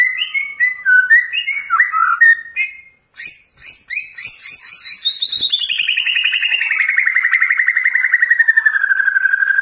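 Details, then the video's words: Shama song used as a lure to provoke a white-rumped shama into singing: varied chirpy whistles, then a series of sharp high notes leading into a long rapid trill that slides steadily downward and levels off. "Pancing Emosi Murai Anda Biar Gacor Dor"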